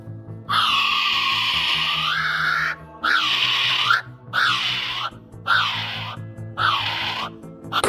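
A kiwi gives loud, shrill, harmonic screeching calls, one long call and then shorter arched ones about every second, over steady background music.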